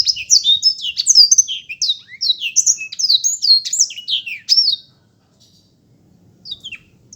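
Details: Black-throated canary pouring out a continuous, rippling series of high chirps and slurred whistles for about five seconds, followed by near silence with a few faint notes.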